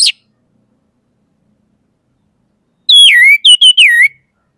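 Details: Orange-headed thrush, anis merah, singing: a single brief high note, a silence of nearly three seconds, then a loud burst of clear whistled notes that slide down and rise again in quick succession.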